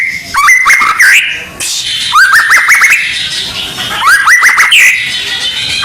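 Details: Training song of a white-rumped shama (murai batu) for contest preparation: three bursts of rising, stuttered whistled notes, each with quick ticks, separated by brief pauses.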